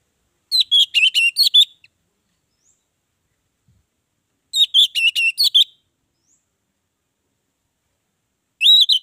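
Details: Orange-headed thrush singing as a lure for other birds: two short bursts of quick, varied whistled notes about four seconds apart, a third phrase beginning at the end, silence between.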